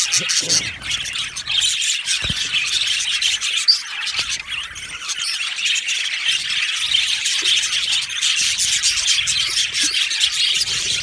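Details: Happy budgerigars in a colony aviary produce an unbroken, lively chorus of high chirps, squawky chatter and warbled twitters, loud and dense throughout.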